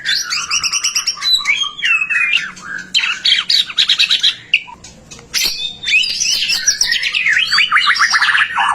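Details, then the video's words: A white-rumped shama sings actively, meant to stimulate other shamas to sing: varied, dense phrases of looping whistles and rapid stuttering notes, a brief pause with a sharp click, then a long tumbling run of trills. "Suara murai batu gacor AMPUH buat PANCINGAN murai batu agar BUNYI"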